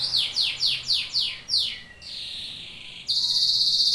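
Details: Domestic canary, Serinus canaria, in song: a run of six loud downward-sliding whistles about three per second, a long even tone, then a loud rapid buzzy trill.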